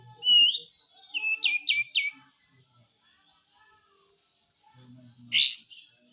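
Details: Kapas tembak triller in besetan song for masteran: a clear whistled note, then three fast descending slurred notes, a pause, then a harsh rasping burst.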